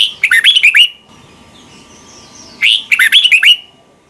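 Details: A red-whiskered bulbul in Thailand sings its doubled (เบิ้ล) song, meant for young birds to learn: two jaunty phrases of rapid warbled whistles, separated by a quiet gap of about two seconds.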